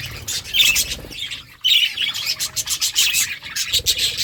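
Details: Budgies chirping steadily while feeding: rapid, scratchy high chirps in a dense run, mixed with crisp clicking sounds of eating.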